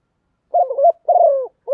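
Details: Captive decoy spotted dove calling to draw in wild birds and the flock: two low, hollow coos, the first wavering and the second long and slowly falling, with the start of a further note cut off at the end.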